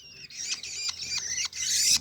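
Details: Long-tailed shrike chicks from Banyuwangi, being hand-fed and jostling for food: harsh, hissing high-pitched begging squeals in repeated bursts, growing louder and more insistent toward the end.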